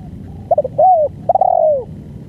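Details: A spotted dove gives one phrase of its full, long song: a few quick choppy notes, a sliding coo, more rapid stutters, then a long drawn coo that falls away at the end. A soft low hum sits behind it.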